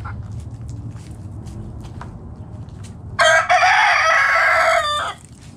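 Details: Backyard chicken flock foraging in the morning; a rooster gives a loud harmonic crow lasting about two seconds after soft scattered clucks and scratching over low rumbling background noise.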